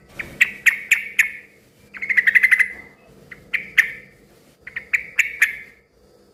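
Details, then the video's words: Yellow-vented bulbul in lively, noisy voice, a sound used to make other bulbuls call back: clusters of sharp chirps in quick bursts separated by short gaps, with a faint low background hum. "suara kicau trucukan gacor ribut yang satu ini suka bikin burung trucuk lain ikut NYAUT BUNYI RIBUT"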